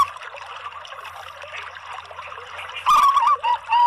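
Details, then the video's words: Zebra dove (Bangkok perkutut) giving a short, loud run of clear, stepped coos near the end, over a steady bubbling, trickling background like running water. "kolaborasi PERKUTUT LOKAL DAN BANGKOK ¦ PANCINGAN semua PERKUTUT"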